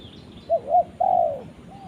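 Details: Calling to its companion, a spotted dove gives two short, arched coos followed by a longer, smooth coo that slowly falls in pitch. A faint coo follows. Background is quiet.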